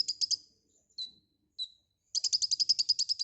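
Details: White-rumped shama in energetic 'gacor full isian' song: a few buzzy notes, two separated short falling whistles, then a long, rapid run of harsh chattering notes.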